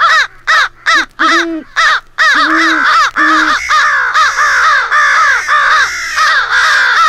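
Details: A compiled crow-hunting rally call of American crows, meant to imitate a crow fight, with harsh caws about two a second building from a few separate caws into a dense overlapping chorus over a faint low hum.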